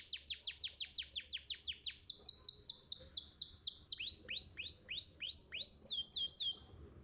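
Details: Song of a champion contest canary, played to coax young canaries into singing: a series of bright, downward-sliding whistled notes repeated about three per second, shifting to lower, fuller swoops midway.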